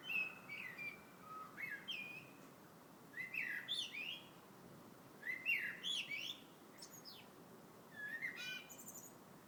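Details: Bird song in February: lively clusters of twittering, whistled notes sweeping up and down, phrases separated by short gaps, clear above quiet background.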